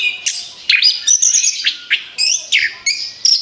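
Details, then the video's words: A rapid volley of orange-headed thrush song for luring birds: sharp, high, slurred notes fired in quick succession, each sweeping up or down, with almost no pauses between them. "SUARA ANIS KEMBANG BUAT PANCINGAN MAUT"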